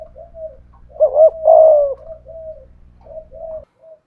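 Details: Spotted dove decoy bird with the 'thổ pha thúc gù' cooing style, challenging a wild dove: soft low coos, then two louder rolling coo notes in the middle, followed by quieter coos.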